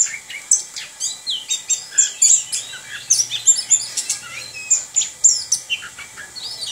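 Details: Orange-headed thrush, a kept bird, singing in the continuous rolling style called ngerol: a rapid, busy stream of high, thin chirps and short whistled notes, several each second, with brief slurred phrases and no clear gaps.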